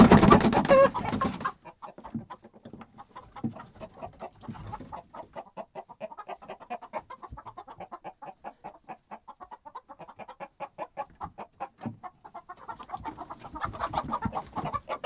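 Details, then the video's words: Hens in a henhouse, agitated by a disturbance. A burst of wing fluttering opens, then steady rapid clucking at roughly three per second, with other hens swelling into a louder chorus near the end. "Flustered Hens"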